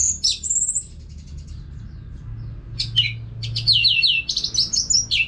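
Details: Caged Orange-headed thrush singing nonstop without pauses, used as therapy sound to prompt other birds to sing. High, sweet phrases open with quick chirps, then after a soft gap a run of slurred, descending warbled notes closes the clip over low hum.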